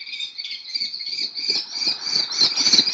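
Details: Recently fledged common kestrels in Théding, France, July 2023, chasing the male parent and calling to be fed; a shrill, nasal, wavering whine rises slightly in intensity toward the end with faint low knocks beneath.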